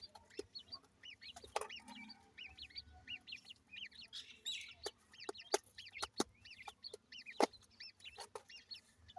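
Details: Baby grey francolins giving bursts of high, arched peeps in overlapping clusters, with many sharp tapping clicks between the bursts.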